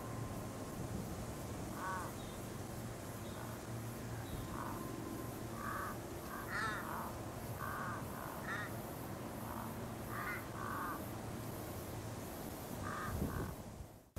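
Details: Torresian crow on the Sunshine Coast, Queensland, in February 2023, giving a long series of harsh, nasal caws, single and in short doubled bursts, scattered irregularly across the recording over a steady low rumbling background.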